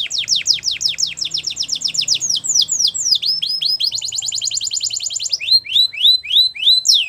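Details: Canary singing to train young canaries, delivering a long rapid series of steep descending sweeps that shifts into a faster rolling trill, then slower whistled downward notes.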